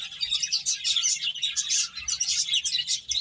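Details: Lively finches, eating and playing, keep up steady overlapping high chirps, quick thin tweets running together with brief dips in loudness.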